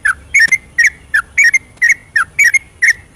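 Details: Yellow-vented bulbul in night-time ropelan, a fast continuous song meant to provoke quiet birds to sing: brisk, bubbly paired whistles repeated roughly every half second.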